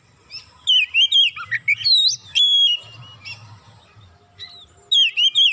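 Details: Oriental magpie-robin (kacer) singing excitedly after a single provocation, delivering its isian fill-in repertoire: loud, varied whistled phrases with rapid rising and falling slurs in bursts separated by short pauses, faint low rumble beneath.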